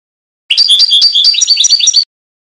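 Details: European goldfinch singing the Trnan song, from a 2020 CD recording: a fast, bright twittering phrase of about one and a half seconds, made of tinkling, slurred high notes that rise and fall in quick succession, with no other sounds.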